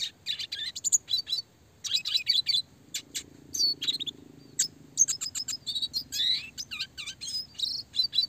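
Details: Classic red siskin chirping song for songbird training, clear and fast with rolling phrases: bursts of high twittering notes and buzzy trills separated by brief pauses, with a faint low hum beneath.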